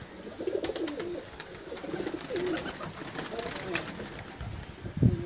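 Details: Pigeons in a home loft in India coo in low, wavering phrases. Sharp clicks and scuffles are scattered through, and a thud comes near the end.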